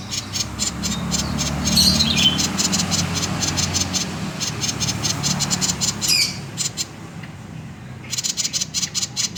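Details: Common iora in konslet song, a lure to start other birds singing: high rapid pulsed notes with a couple of downward-sweeping calls, a pause, then the fast pulses resume; low hum underneath.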